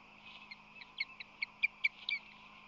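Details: Osprey at a nest on San Francisco Bay, March 2020, while the male brings fish and rushes to defend the nest; a faint series of short, high chirps comes in quick succession over a steady low hum.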